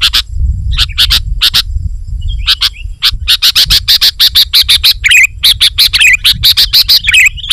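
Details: 'Gacor' song of a sooty-headed bulbul, used to attract wild bulbuls: scattered chips building into a rapid, even series of sharp notes with bubbly warbled phrases woven in, over a low background rumble.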